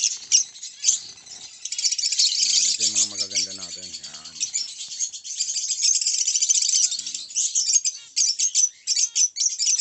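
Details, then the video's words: Zebra finches of the orange line o.b. variety giving dense, high, buzzy chatter that runs almost without pause, with a person's voice talking briefly in the middle. "orange line o.b zebra Finch"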